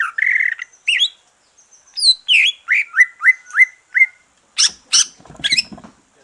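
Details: Song of a green leafbird that has just finished moulting, meant to stimulate other birds: a long warbled whistle, then a string of short dropping slurred notes, ending in harsh buzzy bursts.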